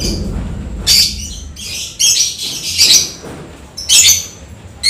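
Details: Lovebird singing after rain: loud harsh, shrill chattering bursts about once a second, squeaky and scratchy, over a faint low hum.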